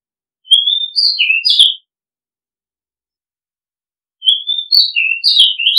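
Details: Two loud phrases from an Oriental magpie-robin, each a chain of long drawn whistles rising and falling, with quick jumbled notes and a pause of over two seconds between.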